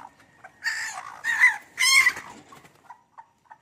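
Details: Serama chickens, many kept together at home: three harsh, raspy squawks, each about half a second long, come in quick succession, followed by a few faint soft peeps in a quiet background.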